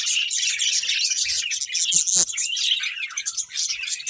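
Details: Breeding pair of budgerigars in steady chatter: overlapping squeaky chirps, warbles and short whistled notes, busy and unbroken, with a couple of faint low thumps in the background.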